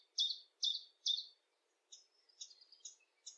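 A common chiffchaff sings three loud, high, clipped notes about twice a second, followed by a run of softer, quicker chiff-chaff notes, over a quiet background.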